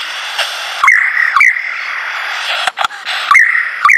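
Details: Lyrebird, a male putting on a show of his repertoire, gives loud rising whistled notes with sharp upward flicks, repeated at irregular intervals over a steady background hiss.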